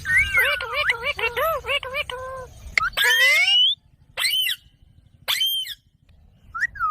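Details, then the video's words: Rose-ringed parakeet, a green parrot said to dance, rattling off a fast run of bouncing, looping squawks, then a rising screech and a few short sharp calls separated by silences. "Ringneck Parrot sound"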